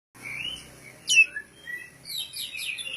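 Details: Caged oriental magpie-robin (Poci/Kacer) ready for a singing contest, performing in the ngobra style without puffing up. It sings a short sliding whistle, a sharp high note, then lower warbled phrases, with quiet low hum beneath.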